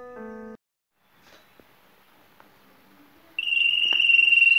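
Spanish Timbrado canary giving a timbre tour: a bright, metallic, fast-pulsing 'ri-ri-ri' trill held on one high pitch, after a brief spoken word.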